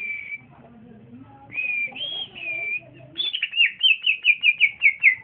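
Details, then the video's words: Caged young male green leafbird (cucak ijo) in the early singing stage: drawn-out high whistles, then a fast series of about ten falling chirped notes, clear and loud. "c ijo trotolan jantan masih muda udah bunyi mantap"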